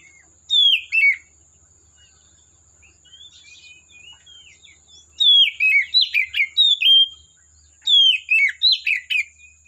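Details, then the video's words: Wild Oriental magpie-robin singing in forest: bursts of varied high whistled and chattering notes, sliding and warbled, in three phrases separated by pauses, over a steady high insect-like hiss. "Suara Burung Kacer Asli Hutan"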